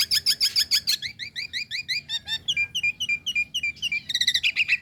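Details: Female Nias hill myna calling to a male: fast repeated bright chirps and slurred whistles, about three to four per second, changing pattern several times, ending in a dense burst of high buzzy notes.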